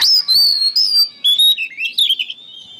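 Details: Oriental magpie-robin song used as training material for songbirds: a steady high whistle breaks into rapid warbled notes and twisting slurs, sung continuously.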